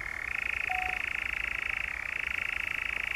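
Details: Loud, close churring of a European nightjar in the Brecks, Norfolk, July 2017: a rapid pulsed trill that rises slightly at the start and briefly dips in pitch before carrying on, with a faint whistle early on.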